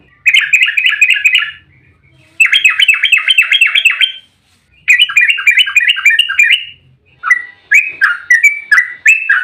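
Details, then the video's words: Agitated fighting song of a yellow-vented bulbul, meant to provoke other bulbuls to answer: three long, fast rattling trills of repeated sharp notes separated by brief silences, ending in looser, bubbly phrases. "trucukan GACOR EMOSI ROPEL RAPAT buat pancingan trucuk agar cepat bunyi"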